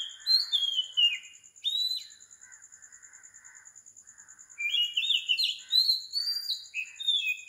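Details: Oriental magpie-robin singing at 4 am in the morning on tropical Sri Lanka: loud, varied whistled phrases sliding up and down, a pause, then a longer burst of rich warbled notes, over a steady high pulsing background tone.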